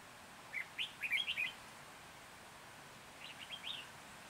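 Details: In Hòa Bình, Vietnam, on 14 January 2021, a red-whiskered bulbul kept as a trapping decoy sings two lively chirpy phrases, the first a rapid five-note warble, the second shorter and softer after a pause.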